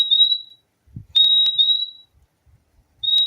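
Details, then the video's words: Purple-throated euphonia, known locally as fim-fim, singing: thin, clear, high whistled notes, each drawn out and level, given three times with short sharp clicks between and soft low thumps in the gaps. "O LINDO SOM DO PÁSSARO FIMFIM"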